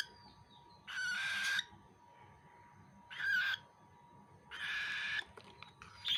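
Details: Young cockatiel being fed, three separate rasping begging bursts spaced about two seconds apart, with quiet stretches between and a steady faint hum underneath.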